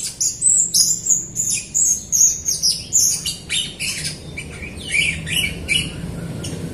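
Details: A Jalak Rio myna sings vigorously, used to lure other Rio birds and lazy singers into song. Rapid squeaky, whistled notes and chirps repeat about three times a second, rising and falling over a faint low hum.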